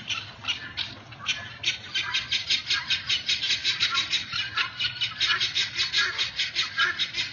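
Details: Guineafowl roaming a neighborhood, described as very loud birds: harsh, rapid cackling notes repeated in a steady rhythmic series of about two to three per second, continuing throughout with little pause.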